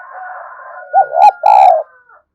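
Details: Spotted dove call played as a decoy to attract doves: three mellow, low coos over about a second, the last drawn out and wavering, with two sharp clicks between them and a steady faint tone underneath.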